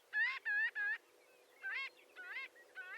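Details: Three quick nasal notes from a marbled godwit, then softer, more drawn-out rising honks, over a steady low background hum.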